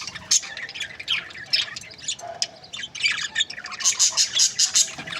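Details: Budgerigars kept as breeding pairs chirping busily, a mix of harsh squawks and sharp high tweets, ending in a run of rapid, evenly spaced chirps.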